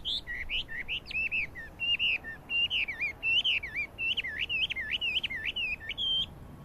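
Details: Chinese hwamei song recorded 12 April 2009: loud clear whistles forming repeated wavy, looping motifs, each pattern sung several times in a brisk, continuous stream.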